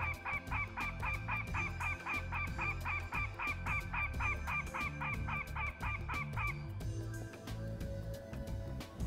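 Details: Northern Goshawk adult alarm call played back in a Colorado nesting-habitat survey to draw a response from goshawks. A rapid, regular chain of cackling notes runs for about seven seconds, then stops, leaving low rumbling background noise.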